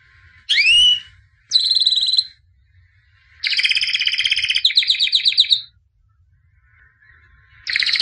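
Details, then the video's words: Singing white albino canary, champion of 2017, being trained: a swooping whistled note, a buzzy phrase, then a long rolling trill that shifts pace, a pause and a new burst starting. "White Canary Singing (Albino)"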